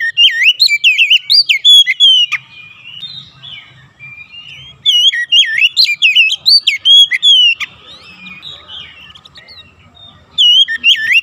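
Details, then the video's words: Oriental magpie-robin song played to provoke caged birds into singing. Bursts of loud, fluid whistles that twist up and down, delivered in quick strings separated by quieter pauses of soft chatter. Three main bouts are heard. "pancingan Kacer"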